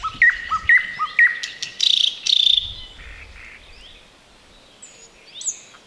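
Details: Unseen thrush nightingale in roadside bushes, Chornobyl Exclusion Zone, 2020, sings at close range: three loud rising whistled notes, then two harsh buzzy rattles, followed by softer fading phrases and a quiet pause with a few high notes.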